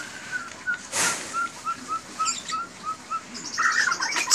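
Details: White-rumped shama singing 'isian cililin' material, 'tembakan' bursts: a steady series of short, mid-pitched whistled notes repeated about every third of a second, with a brief hiss near the start and a high buzzy flourish at the end.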